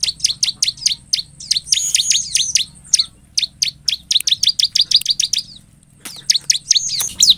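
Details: Bar-winged prinia singing actively to provoke a response from other prinias, delivering rapid bursts of high, sharp chips and slurred twitters, broken by a brief pause before resuming.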